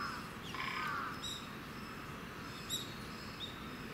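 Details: A Brown-eared bulbul (Hypsipetes amaurotis) in Okayama City, Japan, on 26 February 2019 gives one harsh, screechy squeal early on. Thin high chirps from other birds follow over a steady background hiss.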